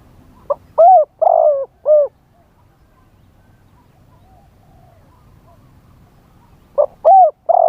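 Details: Spotted dove used as a live decoy to lure wild doves, singing in the wild-type style: a mellow four-note cooing phrase, short lead note then two long hollow coos and a final coo, given twice with a pause between, faint background hum.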